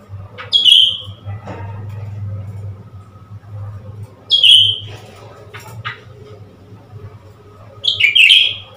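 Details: A newly acquired Blue-winged Leafbird, being tricked into playing with a mirror, gives three sharp, high, squeaky bursts roughly every three and a half seconds over a steady low indoor hum; recorded 10 February 2021.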